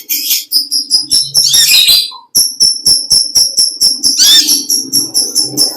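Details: Natural song of a konin (olive-backed sunbird) in vigorous form: rhythmic, steady high ticking notes roughly three per second, interrupted by two dense scratchy twittering flourishes, with one brief pause.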